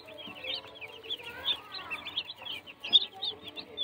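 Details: Baby chicks give dense, high-pitched cheeping, short chirps tumbling over one another without pause, over a low background hum.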